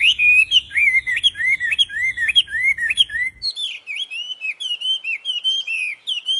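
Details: Wambi singing in a lively, melodious way: a fast run of curling chirps, then higher, varied whistled phrases. A low rumble sits under the first half.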